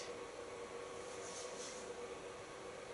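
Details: Quiet indoor hiss with a faint steady hum, and no voices or animal calls.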